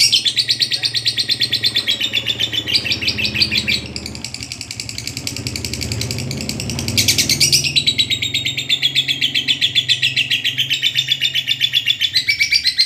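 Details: Long ngekek chatter from a lovebird, recorded for training other birds: a continuous rapid stream of high, buzzy pulses that rises briefly in the middle and then settles back, with a low background hum throughout.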